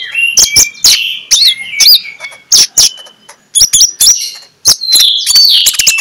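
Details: Ngeplong-style song of an Oriental magpie-robin, played in the morning to stir quiet magpie-robins into singing. Sweet upslurred and downslurred whistles are interleaved with crisp clicking notes, continuous and varied.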